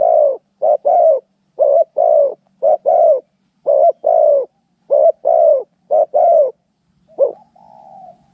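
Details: Cooing from fighting spotted doves: hollow double coos in a steady series, ending in one short coo followed by a faint, drawn-out lower tone.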